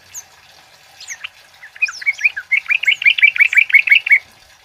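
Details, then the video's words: A male kemade sings scattered high chirps, then a fast, even run of about a dozen bright, sharp notes lasting roughly a second and a half. "Suara Burung Kemade Cit Keres Gacor Jantan"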